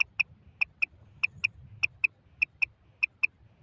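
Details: Female common quail calling: crisp, high, clicking double notes, each pair about a fifth of a second apart, with pairs repeating roughly every 0.6 seconds. Six pairs are heard over a faint low hum.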